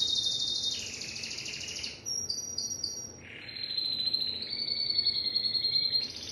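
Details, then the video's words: Timbrado canary delivering long, continuous rolling trills, some high and bright, others lower and softer, changing level every second or two with a short break midway. "تغريد كناري التمبرادو"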